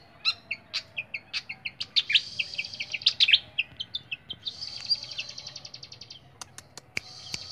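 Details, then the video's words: Caged flycatcher: quick high chips build into a tangled twittering phrase, followed by a long buzzy trill and a few sharp clicks against faint background hum. "BURUNG SIKATAN SUARA JERNIH"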